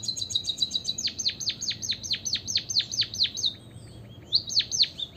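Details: A white-headed munia sings to set other birds singing: quick high ticks give way to a long run of downward-sweeping whistles, a brief gap, then two more.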